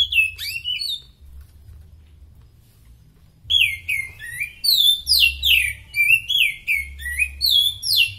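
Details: Oriental magpie-robin in superb form, a short whistled phrase, a pause, then a fast run of repeated sweeping, slurred whistles and chips, lively and continuous, with a low hum underneath.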